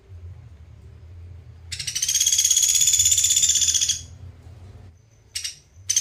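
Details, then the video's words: Pelatuk beras from Sampit, a recording used as a master for training songbirds: one high, rapid, even rattling trill lasting about two seconds, then two short trill fragments. "PELATUK BERAS / SAMPIT GACOR TEMBAKAN RAPET JEDA JERNIH"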